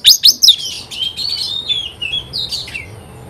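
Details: Oriental magpie-robin singing in answer to another magpie-robin: three loud sweeping notes open, followed by softer warbled whistles that fall away.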